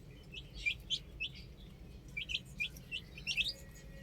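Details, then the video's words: Baby hens on a roof chirp in scattered, high, slurred peeps, a few at a time, against a quiet hum of background noise. "Adorable Chicks Chirping Sounds"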